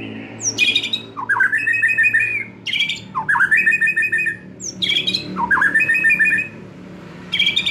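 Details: White-rumped shama, a young wild bird shedding juvenile spotting, singing a lure song: the same phrase given four times, a sharp high note, a buzzy burst, then a fast, even, rattling trill.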